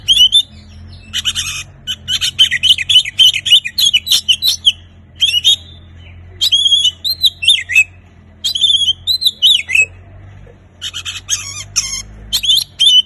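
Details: Singing Oriental magpie-robin used to coax quiet birds into song: long runs of sweet rising and falling whistles alternating with buzzy, rasping chatter, delivered in fast bursts separated by brief pauses.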